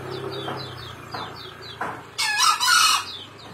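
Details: Male green junglefowl giving one loud, rasping crow under a second long near the end. It follows soft knocking notes, with high, quick descending chirps from other birds behind.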